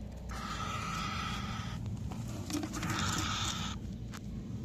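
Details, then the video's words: Cockatiel chirping: two drawn-out, harsh, harmonic-rich calls, the first about a second and a half long, the second shorter and higher, over a low steady hum with scattered clicks. "Cockatiel chirping sound"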